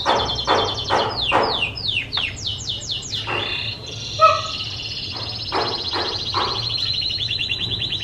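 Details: Canary training song meant to teach other birds: high descending chirps and buzzy notes, then a long, even, high rattling trill lasting several seconds, with a brief clear tonal note partway through.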